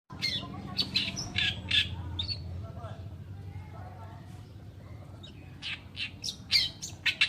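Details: Oriental reed warbler, called kerakbasi alis putih, singing a tutor (masteran) song: harsh, scratchy chattering bursts in short clusters, with a steady low hum underneath.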